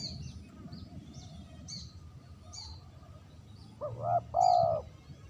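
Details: Spotted dove lure call: quiet high chirping from other birds, then one loud coo near the end, a short lead note followed by a longer held note.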